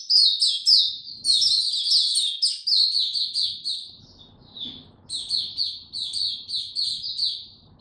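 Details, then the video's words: White-eye (mata puteh) kept as a songbird, given no supplements, sings bursts of fast, sharp, high twitters; a strong opening run, a quieter lull around the middle, then another energetic string of squeaky notes. "Mata Puteh Hercules buka sing"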